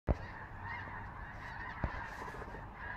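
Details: Large formation of geese flying overhead in Skagit Valley, Washington State, Pacific Northwest; a dense, continuous chorus of overlapping honks from many birds, with two sharp knocks and low wind rumble.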